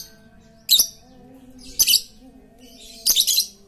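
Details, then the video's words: Very chatty lovebird used as a lure to get quiet lovebirds singing. Three short, harsh, buzzy bursts of high chatter come about a second apart over a faint steady low hum. "Pancingan Lovebird super cerewet untuk memancing Lovebird diam jadi fikter"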